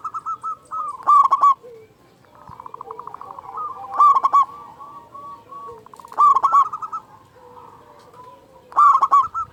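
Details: Vocal local Zebra dove with a large voice, a lure recording for caged doves: four phrases about two seconds apart, each of soft quick notes leading into a loud, harsh, resonant coo.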